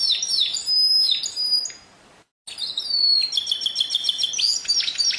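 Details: Canary song of bright whistled notes and quick sweeping slurs, broken by a brief gap, then resuming with a rapid rolling trill of repeated high chips.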